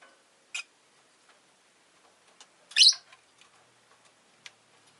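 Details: Rosy-faced lovebird with one brief high chirp, then a longer, rough, shrill chirp, while faint ticks and clicks run through the background.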